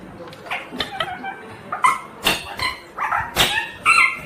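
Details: Ringneck green parrot calling with a rapid series of short, raspy squawks and chattering notes, growing louder toward the end of the burst.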